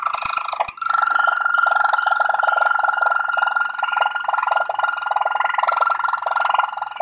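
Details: Malinois Waterslager canary song from a CD recording, starting with a few sharp clicks, then a long continuous bubbling roll under a held clear whistle, loud and steady for six seconds.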